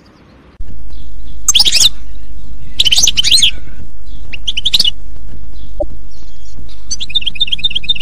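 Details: Wild European goldfinch in a forest, giving short bursts of bright, twittering high notes separated by pauses of about a second, ending in a quick run of tinkling repeated notes, over a steady low hum.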